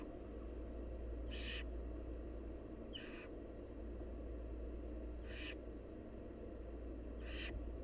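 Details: Wild barn owl nestlings begging as their mother feeds them: four harsh, hissing screeches, each about a third of a second, spaced irregularly over roughly seven seconds above a steady low hum.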